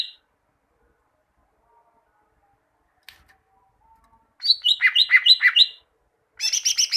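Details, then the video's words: Greater green leafbird training song meant to get caged birds singing: long quiet stretch with a faint click, then a burst of alternating high and low whistled notes, a pause, and a higher, buzzier chattering run. "Masteran cucak ijo, masteran burung cucak ijo agar cucak ijo rajin bunyi"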